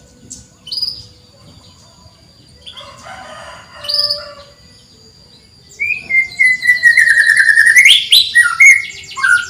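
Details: Lively canary song meant to coax quiet canaries into singing: scattered buzzy notes and short chirps, then a sustained loud stretch of rapid rolling trills with a long falling whistle through the final seconds.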